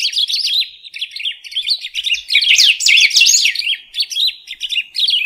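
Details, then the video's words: Golden-billed saltator, known locally as pepitero or picahueso, singing a long run of rapid, warbling, twittering notes that rise and fall, sustained for over five seconds with brief dips. "Pepitero/Picahueso Canto - Golden-billed Saltator - Saltator Aurantiirostris"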